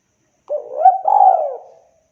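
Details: Spotted dove for luring giving a single soft coo: a short rising note running into a longer, slightly arched coo that fades out.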